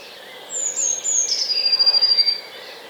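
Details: Eurasian blue tit, a regular visitor to a Hampshire, UK garden in 2020, giving its fairly high song: clear high notes sliding down into a quick trill lasting about two seconds.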